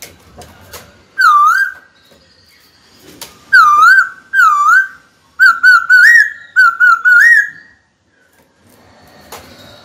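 White-cheeked laughingthrush giving loud, clear whistled phrases of looping, wavering notes in three bursts, ending in quick rising trills. Background otherwise quiet.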